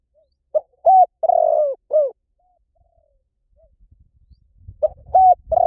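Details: Spotted dove cooing: a four-note phrase with short, level, long wavering and falling coos, a pause of about two and a half seconds, then the phrase starting again over a low rumbling background noise.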